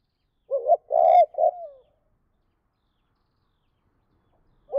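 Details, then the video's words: Spotted dove giving a two-phrase (2 cốt) call meant to provoke wild doves: a short coo, a long loud coo and a clipped coo, trailing into a soft descending note, then silence before the next phrase starts. "Chim cu gáy 2 cốt và thúc lợi cốt kích bổi"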